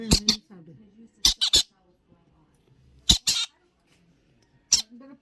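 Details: Young conures playing, called green-cheeked by the owner and yellow-sided in the title, give harsh, raspy squawks in quick pairs and triplets, about seven in five seconds, with faint low voices between them.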